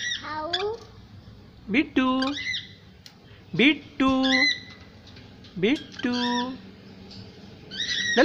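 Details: Little parrot trying to speak indoors: a series of nasal, harmonic, speech-like syllables, each starting with a quick rising sweep and then holding a flat tone, repeated about every two seconds in a quiet room.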